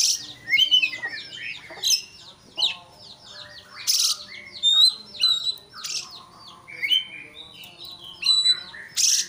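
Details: Agitated Oriental magpie-robin song intended to stir a rival into fighting. There are rapid, rhythmic bursts of chattering notes, whistles and harsh buzzy calls, repeated roughly every second, with occasional loud noisy bursts.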